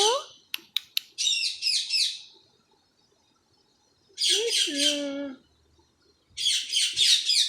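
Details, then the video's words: Tame talking Indian ringneck parrot kept indoors. Bursts of quickly repeated, rasping, pulsed squawks last about a second each, separated by silences. A lower, voice-like falling tone sits within the middle burst. "Mitthu The Best Talking Parrot|| Mitthu Urdu/Hindi bolne wala tota"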